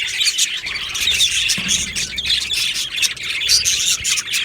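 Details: Australian budgies chirping together in an aviary colony, recorded 15 July 2025; many birds twitter at once in bright, high, scratchy bursts, with a brief low thump partway through.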